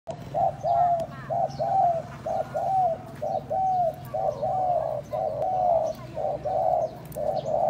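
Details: Spotted dove calling to stimulate and lure other doves: a steady run of short, hollow cooing notes, some rising then falling, about one per second with brief gaps. Faint chirps from other birds sound in the background.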